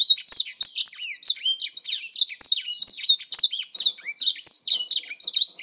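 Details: Grey singer held for around four months, pouring out high, sweet twittering song of quick down-slurred and up-slurred whistles in a dense, steady stream.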